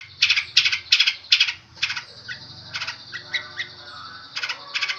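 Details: Long-tailed shrike singing a varied song in busy, high bursts of chirps and trills, with several quick notes clustered early, then scattered sharper phrases and a pair of bursts near the end; faint low hum underneath.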